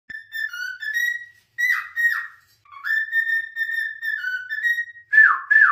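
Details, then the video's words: Pet cockatiel singing indoors: a string of clear whistled notes held around one pitch with small steps up and down, broken by quick downward-sweeping chirps, ending in two loud falling whistles. "Cockatiels: the tiny divas of the bird world!"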